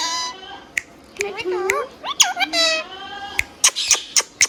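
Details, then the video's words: Tame pet green parrot chattering indoors, quick wavering speech-like syllables in the middle, then a run of sharp high clicks about four per second. "Green Parrot Natural Sound | Hand tame Parrot Talking video | Mithu Tote Ki Awaaz | Talking Parrot"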